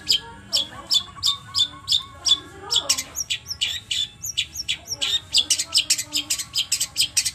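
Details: Long-tailed shrike song, used to provoke a captive bird to sing: rapid series of sharp, scratchy notes at a quick steady pace, with chattering and higher whistled slurs mixed in.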